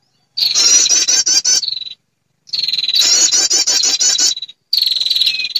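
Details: Female prinia call used to lure males and other birds: three bursts of quick, high, buzzy trilled notes, each opening and closing on a thin drawn-out tone, separated by short silences.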